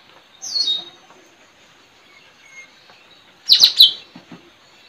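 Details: Straw-headed Bulbul (puling) trained as a lure for wild birds, village setting, April 2021; one short downward-slurred whistle, a long quiet gap, then a fast cluster of three loud descending notes.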